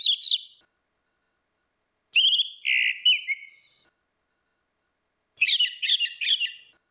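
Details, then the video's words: Orange-headed thrush song, female versus male used as a lure: three bursts of bright whistled and chattering notes, with buzzier, harsher elements in the middle phrase, on a silent background. "SUARA ANIS MERAH BETINA VS ANIS MERAH JANTAN NGEPLONG || PANCINGAN ANIS MERAH MACET"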